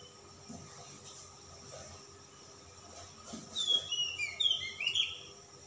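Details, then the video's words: Oriental magpie-robin (kacer), calm type, in persistent display song with rich fill. Faint low knocks come first, then a rapid run of high, clear whistles and twisting slurred notes over the last two seconds. "kacer ngotot ngobra isian mewah kacer Type dingin"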